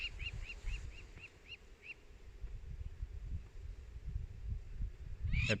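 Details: Crowned Lapwing scolds a passing pride of lions, possibly near its nest, by the Sand River in the Kruger area. Sharp, clipped notes come about three a second, then a final louder rising call, over low wind or engine rumble.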